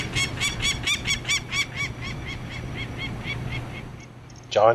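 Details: Female peregrine falcon resting from attack flights while watching a man near her nest on a Hamilton, Ontario hotel rooftop during 2009 banding: a run of harsh, rhythmic cackling notes fading gradually, then a brief human voice at the end.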